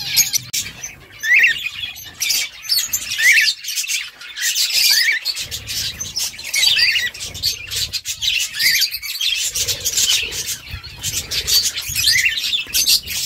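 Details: Pet birds, tagged as budgies, chattering to one another: dense, continuous high chirps and squawks with scratchy warbled notes and short rising whistles, many overlapping calls throughout.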